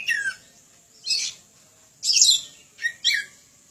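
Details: Oriental magpie-robin used as a training model for other birds, singing loudly: an opening falling whistle, then separate bursts of coarse, hissing rasps and short scratchy notes about once a second.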